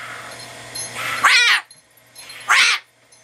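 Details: Pet umbrella cockatoo staying as a house guest, having a blast indoors; two loud raspy screeches about a second apart, each rising then falling, over a faint low hum.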